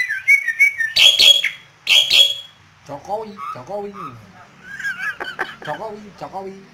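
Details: Asian pied starling in Yogyakarta, provoked by a hand and singing lustily: rasping crackling bursts open the phrase, then lower, hoarse, bending notes and a run of bright whistles and chatter.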